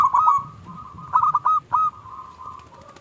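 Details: Local zebra dove with a small 'klung' voice, used as a lure to provoke other doves. Bright cooing notes are clipped in quick bursts, with a rolling cluster near the middle and fainter coos trailing off.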